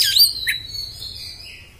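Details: Oriental magpie-robin: a sharp loud burst followed by a long, thin, level whistle that slowly fades and drops slightly in pitch, sung in a harsh, hard-driving style.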